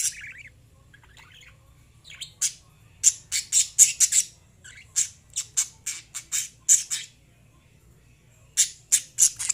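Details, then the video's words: Lovebirds chirping: bursts of sharp, high, squeaky chirps in quick irregular runs, pausing briefly then resuming, loud and shrill over a quiet background. "Love birds singing and chirping sounds"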